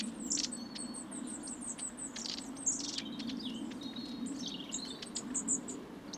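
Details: Long-tailed tits flocking around suet feeders in winter at Saltersford Locks, Cheshire: a busy stream of thin, very high-pitched short calls and brief trills from several birds, over a steady low hum of background noise.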